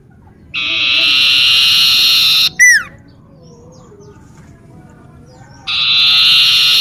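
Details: A common iora in a home garden repeats its song: a sustained, rich whistle of about two seconds, then a quick falling note, then another long held whistle after a quiet gap.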